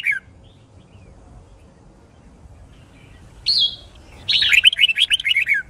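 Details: Caged white-cheeked red-whiskered bulbul being trained for fighting song, a short whistle, a long pause, a rising slurred note, then a fast burst of repeated chattering whistles.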